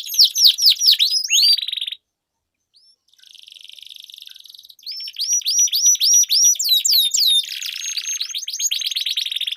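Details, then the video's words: Canary song as a lure for competition birds, bursts of sharp sweeping notes broken by a two-second silence, then a faint buzzy trill building into loud rapid rolls. "Duel Burung Kenari Suara Merdu Ngerol Panjang || Pancingan Ampuh Kenari Macet Gacor Ngerol Panjang"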